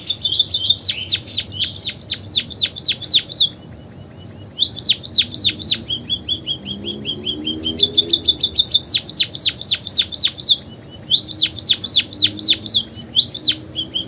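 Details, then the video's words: Munia performing canary song imitations in several bursts of rapid, sharp downward-slurred whistles, about four per second, separated by short pauses and brief even trills. "Burung PIPIT Full isian KENARI"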